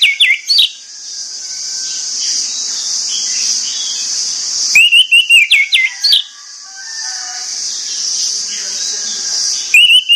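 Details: An orange-headed thrush sings in the morning, giving loud, sharp whistled bursts of several rapid notes at the start, near five seconds and near six seconds, with a steady high hiss between them.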